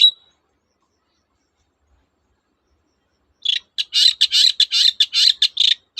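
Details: Long-tailed shrike (cendet), a song to prompt quiet shrikes to sing, opening with one sharp note, a long silence, then a rapid series of harsh rasping notes about two per second.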